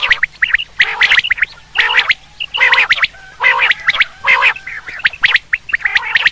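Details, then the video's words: Common quail used for hunting, giving a steady string of hoarse, grating bursts with bright chirpy ticks, about one each second. "Quail sound for hunting /Batir ki Awaz"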